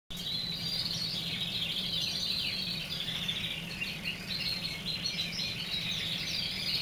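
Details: Colour varieties named for these German crested canaries are white, yellow and red; one sings in a steady, unbroken stream of rapid high chirps and rolling trills, over a low background hum.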